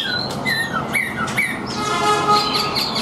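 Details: Chinese hwamei kept in a cage and tame in the hand, giving a few slurred whistles, then a thinner, sustained high warble against a noisy background.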